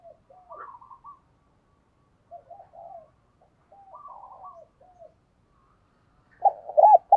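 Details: Decoy spotted dove cooing to call in wild doves: gentle hooted phrases in grouped bursts with pauses, ending in a loud, close burst of deeper coos.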